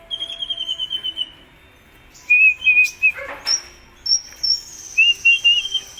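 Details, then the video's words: Kolibri ninja sunbird in full contest song: a run of rapid short chirps, then loud clear whistled phrases, some very high and thin, with a brief noisy rustle in the middle. "Suara Burung Kolibri Ninja Gacor Mau Juara - Hummingbirds Sound 2020"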